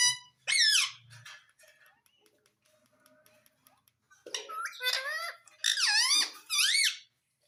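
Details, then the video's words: Talking parrot kept as a pet, mixing a quick harmonic squawk with a string of varied, bending speech-like notes that rise and fall, against faint indoor background sounds. "Parrot Speaking Everything || Talking Parrot ||Mitthu Mitthu Bolne Vala parrot"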